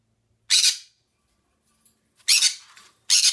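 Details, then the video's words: Harsh screeching squawks from a pet green-cheeked conure in a small room, three loud raspy bursts separated by pauses, with faint soft chatter between them. "Green Cheek Conure Making Noises"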